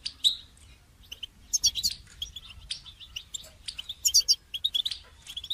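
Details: Goldfinch song for training other songbirds: a fairly quiet, continuous run of thin chirps, tinkling notes and buzzy flourishes that picks up in the second half.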